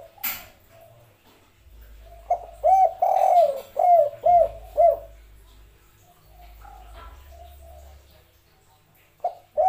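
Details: Spotted dove giving its 'kuk 3' cooing, said to be one of the world's sweetest-voiced birds: a sharp click, then a run of about six soft, rounded coos, followed by quieter distant notes and a final coo.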